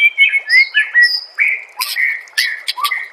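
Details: White-rumped shama master song meant to make other shamas answer and sing: clear whistled slurs and sweeping notes mixed with sharp, harsh buzzy bursts in a quick, varied sequence.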